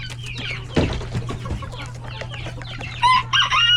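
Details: Hens, roosters and chicks crowded in a coop at lunchtime feeding; scattered soft clucks and chick peeps, then loud harmonic squawks near the end, over a constant low hum.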